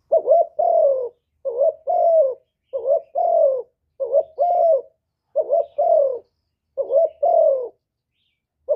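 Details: Spotted dove giving a full song of calling, urging and cooing, recorded directly without background noise, used to spur other doves to call. Seven two-part phrases, each a short wavering double note and a longer falling coo, roughly every 1.3 seconds.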